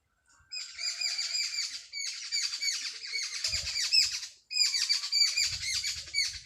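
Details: Village sparrows in the early morning: three bursts of loud, rapid chirping chatter, each a few seconds long and separated by short silences, with faint low knocks underneath.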